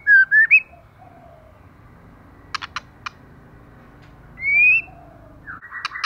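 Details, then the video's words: Moulting female white-rumped shama in fierce song: a quick run of rising whistles, three dry clicks, a long upward-slurring whistle, then a harsh buzzy burst at the close. "LỬA MÁI THAY LÔNG TRỤI LỦI ĐẬP TẠCH LÔNG BAY VUNG VỤ HÓT CỰC XUNG KÍCH LỬA"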